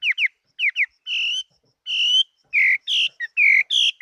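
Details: In 2018, a Chinese hwamei kept as a fighting bird delivers paired falling slurs followed by longer steady rich whistles, then bright bubbling warbled notes in quick succession.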